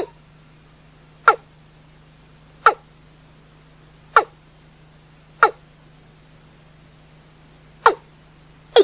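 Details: Watercock heard at night: sharp, clipped knocking notes spaced about 1.3 seconds apart, six in all, each a short broadband tock, over a steady low electrical hum.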